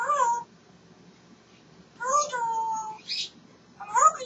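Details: Pet African grey parrot talking away cheerfully, uttering three drawn-out, harmonic, meow-like wails, each holding a steady pitch before sliding down, separated by short pauses and a brief scratchy note.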